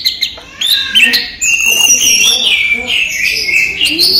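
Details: Kept orange-headed thrush singing in the daytime: a few soft notes, then a sustained flowing series of clear whistles and twitters that waver in pitch.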